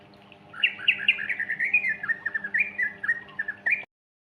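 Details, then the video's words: Sooty-headed bulbul (trucukan), a 'gacor ropel' lure for getting young birds singing: fast chattering string of short, rising and falling chirps for about three seconds, ending abruptly, with a low steady hum behind. "Pancingan Anakan Burung Trucukan Gacor Ropel"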